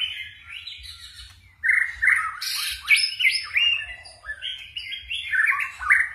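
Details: White-rumped shama singing in the 'forest voice' style with shifting voice, a tireless singer; a fast run of varied whistled phrases, sliding up and down, with short bright trills and notes packed close together.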